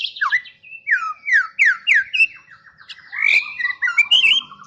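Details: Champion white-rumped shama singing clear slurred whistles that sweep downward in a repeated series, followed by rising, warbled and squeaky phrases, bright and loud against near silence.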